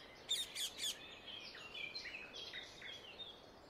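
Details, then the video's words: Wild Indian ringneck parakeet calling in nature: three harsh, shrill screeches in quick succession at the start, followed by softer, scattered chirping and twittering from other birds. "Indian ringneck parakeet sound in nature"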